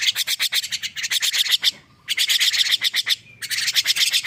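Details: Newly woken young starling producing fast harsh rasping bursts in two runs separated by short silences, with a faint thin whistle between them.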